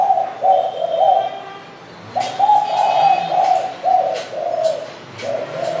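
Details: Spotted dove (derkuku) repeating soft low coos in a steady series, with sharp clicking taps sounding between the notes.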